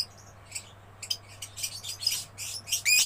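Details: Gacor chatter of a young lovebird starts quietly with a few high chirps, then builds into short shrill buzzes and squeaky rising notes, with a steady low hum behind.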